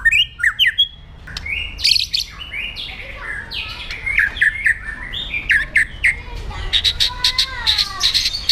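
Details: Aggressive white-rumped shama song used to train other birds: varied loud whistles, harsh squawky phrases and buzzy notes give way to rapid metallic trills and rising slurred whistles.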